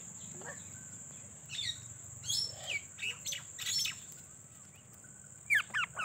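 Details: Household talking parrots, more than one: an irregular series of chirps and scratchy squeaks at moderate volume, ending with three louder, sharp chirps in quick succession, over a constant high whine and low hum.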